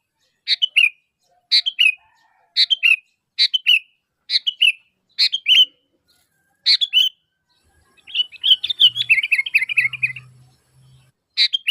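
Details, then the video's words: Sooty-headed bulbul luring other bulbuls with its calling: a fast series of short two-note phrases roughly every second, then a busy chattering burst of rapid notes with a faint low hum. "Suara Asli Kutilang Gacor Memanggil, Kutilang Pasti Nyaut"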